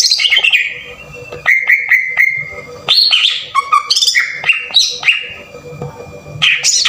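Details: Green leafbird song used as a lure to excite other leafbirds, in a harsh bursting style: loud slurred whistles sliding down, long level notes, sharp upward flicks, with a faint steady hum behind.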